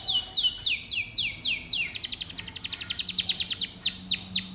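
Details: Canary song for stimulating young canaries to respond: slow sweeping descending whistles about every third of a second, breaking into a quick rolling trill of sharp high notes.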